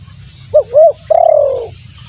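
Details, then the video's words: Spotted dove lure call used to attract wild doves: two short rounded coos followed by a longer, drawn-out coo that slides gently downward, over a low steady hum. "suara pikat tekukur bagus untuk pancingan"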